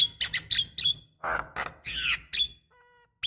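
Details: Black-winged starling female calling males, a lure for young birds: harsh squawks and nasal squeals in quick succession, with a short low electronic tone near the end.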